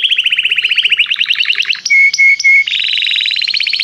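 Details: Canary in song training, singing to draw a companion into song: rolling trills of rapid repeated notes, interrupted by three short steady whistled notes, then a higher fast trill.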